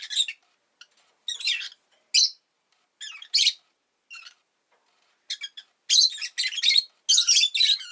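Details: Domestic rosy-faced lovebird after egg-laying chirps in gritty, buzzing notes, scattered at first, then speeding into a dense string of harsh bursts toward the end.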